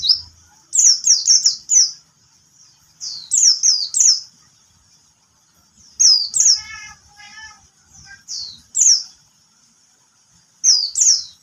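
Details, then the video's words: Bird singing while a cat disturbs it: clusters of three to four piercing, high downslurred notes every two to three seconds, with one brief buzzy, harmonic rattle in the middle. "lagi nyanyi dia gak fokus jadinya ada yg ganggu🤣"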